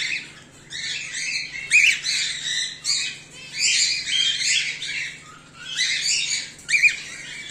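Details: Scratchy, strident calls of home-bred cockatiels, whiteface emerald and exhibition grey male, come in clustered bursts with short quiet breaks and a few sharp peaks, above a soft background hum.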